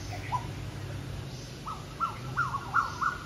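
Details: Asian koel calling in competition with other birds on an evening in natural surroundings, 9 July 2022: a fairly faint series of short rising whistled notes, repeated about every third of a second and growing louder, over a low background hum.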